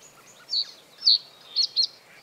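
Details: Male common reed bunting singing in breeding season to defend territory, perched on reed stems above water; one brief phrase of four high, sharp chirps, the last two close together, over quiet reedbed background.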